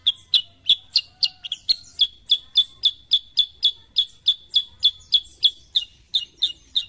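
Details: Sooty-headed bulbul, known as kutilang sutra, giving a long even string of loud clipped chirps, nearly four per second, each topped by a tiny high click, in a quiet setting.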